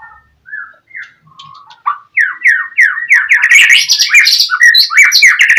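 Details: Gacor song of a white-rumped shama used to bait rivals into answering: soft low whistles at first, then an accelerating series of loud descending whistled slurs mixed with scratchy high chatter.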